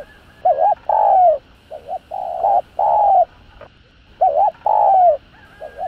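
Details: Thúc gù cooing of a spotted dove for luring decoy doves: doubled hoot, a long descending coo, then softer short notes; the phrase pauses and repeats, low and mellow.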